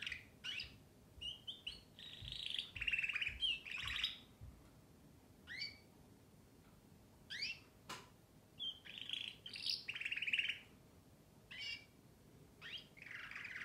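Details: Canary singing in bursts of bright, high trills and rapid chirps, with short whistled slurs between phrases and brief pauses, over a faint low hum.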